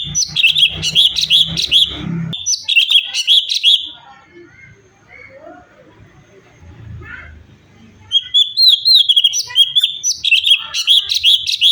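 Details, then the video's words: Lively cucak cungkok bulbul song for tutoring other cage birds: fast, rich bursts of whistled chirps repeated in clusters, a quieter stretch with scattered soft notes in the middle, then renewed dense chattering phrases. "CUCAK CUNGKOK GACOR SUARA ASLI VARIASI UNTUK MASTERAN"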